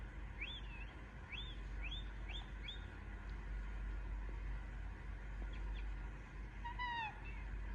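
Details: Young Indian ringneck parakeet giving five or six short arched squeaks in a brisk series, a pause with faint ticks, then one fuller, downslurred call near the end; constant low background hum throughout.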